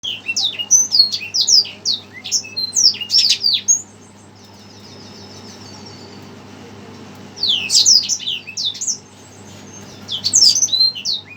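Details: Red siskin, agitated on hearing a played recording, pours out high, rapid twittering song in two bursts with a silent pause of about three seconds between them.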